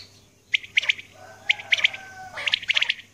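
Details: Female common quail calling in the early morning: three groups of short, sharp, bright notes, each group a quick triple burst, spaced about a second apart, with a faint low hum underneath.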